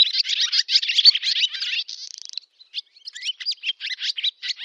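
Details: Summer song of a barn swallow in a Novgorod oblast village, Russia, 8 August 2013: fast dense twittering warble, a short dry buzzing rattle in the middle, then scattered chirps and twitters.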